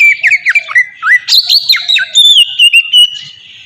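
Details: Oriental magpie-robin song, a captive bird's recording used as a lure to get other caged magpie-robins singing: loud clear whistles with rising and falling slurs, then a run of short bright notes on one pitch.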